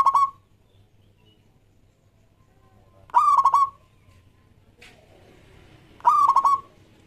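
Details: Local zebra dove (perkutut lokal) singing, used as a lure to get other doves to start singing; three short, rolling cooing phrases, each with a quick trill, come about every three seconds in a quiet setting.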